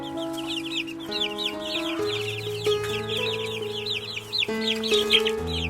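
Chicks peep constantly, a flock of high, falling whistled chirps overlapping several times a second, over steady background music.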